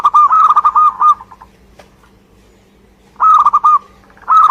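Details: Energetic song of a local Indonesian zebra dove (perkutut): a rippling phrase of rapid, slightly rising coos, a gap of nearly two seconds, then two more fast cooing bursts, with a low constant hum underneath.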